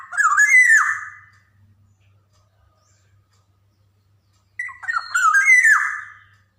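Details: Two loud, liquid phrases of a Javan black-naped oriole, a training recording for young birds. Each is a quick tumble of fluty notes ending in a downward slur, with about four seconds of silence between.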